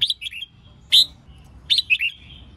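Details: Female red-whiskered bulbul song used to stir males into competitive singing and voice training; three short, bright whistled phrases with quick warbled notes, the middle one loudest, separated by brief silences.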